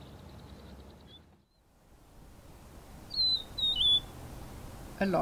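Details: Rufous-naped Lark calling from a large mound of soil used as a song post. After a quiet start come two or three clear, slurred whistles falling in pitch, followed by a brief knock or rustle at the end.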